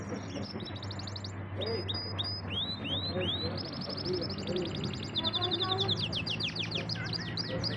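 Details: Canary singing, a pet bird: rapid repeated chirps and sweeping whistled notes, rolling trills in fast series, over a steady low hum and background noise.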